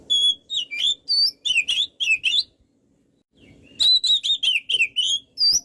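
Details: Kacer, the white-rumped shama, in lively song: a steady whistle, then quick bursts of warbled, slurred notes, a pause of about a second, and another rapid, varied whistled phrase.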